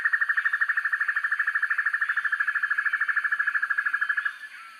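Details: Black-and-yellow broadbill master recording for training birds: a steady, rapid stream of evenly spaced buzzy pulses that holds one pitch for about four seconds and then cuts off.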